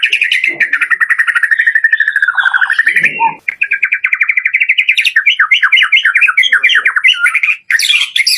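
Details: Lure song of a white-rumped shama, 'door' full-variation style, used to get lazy caged birds singing: long wavering whistled trill at first, a short break, then a quick run of varied, bouncy chirping phrases.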